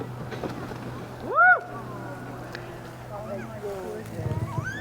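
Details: Rehabilitated endangered Carnaby's black cockatoos just released in Yanchep National Park, Western Australia, among tuart trees, give one loud, wailing, arched call, then fainter rising calls in the distance, with a low hum and some speech.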